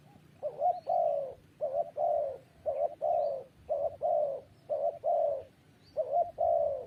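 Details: Spotted dove calling repeatedly: low mellow coos in paired phrases, a short clipped note followed by a longer, fuller hooting coo, repeated about five times at a steady pace over quiet surroundings.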